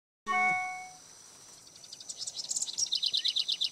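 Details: A House Wren singing at Bombay Hook NWR, Smyrna, Delaware: a rapid, bubbling cascade of high, chattering notes repeated several times a second, after a brief low droning tone at the start.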